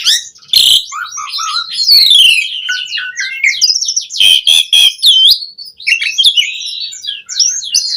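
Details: Asian pied starling in lively, varied song meant to spur other starlings into singing: a dense run of slurred whistles, squeaks and raspy chatter that barely pauses.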